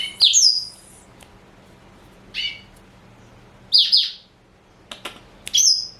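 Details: High, clear chirped phrases from a pet male black-throated canary aged four, Somerini x Botswana cross, come in separate bursts roughly every second or two with short clicks between.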